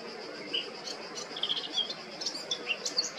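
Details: Male Eurasian blackcap recorded 20 July 2022 in Baška, Krk island, Croatia, giving soft, scattered high chirps and short warbled fragments at irregular intervals, with a constant high-pitched drone behind.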